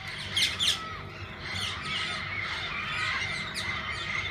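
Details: Several kinds of parakeets in a walk-in aviary at a parrot zoo, where visitors feed and hold them; dense overlapping chatter with two loud harsh squawks early on, then steady high chirping and twittering throughout.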